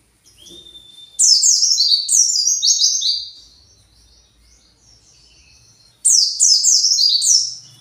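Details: An agitated white-eye searching for its flock: a thin, steady whistle, then two bursts of rapid, high, down-slurred chirps tumbling over one another.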